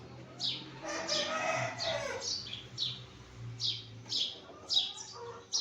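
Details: Busy morning chirping of a sparrow: a loud harsh chatter at first, then quick high cheeps following one another closely, some overlapping, over a faint low drone.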